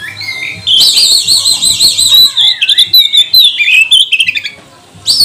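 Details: Oriental magpie-robin singing to provoke other magpie-robins: long sustained warbling whistle with fast vibrato, then quick descending slurs and chips, ending in a brief silence and a sharp final note; faint low hum behind.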